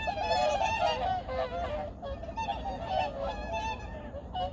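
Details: Early morning in 2019 at Junam Reservoir, Changwon, a large flock of migratory birds gives dense, overlapping nasal honks, several each second, over a steady low rumble.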